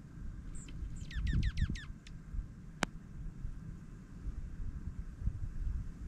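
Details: Dark-eyed juncos feeding during a Minnesota snowfall give a quick series of five or six sharp, downward-sweeping chirps in the first two seconds, then fall quiet over a steady low rumble and one click.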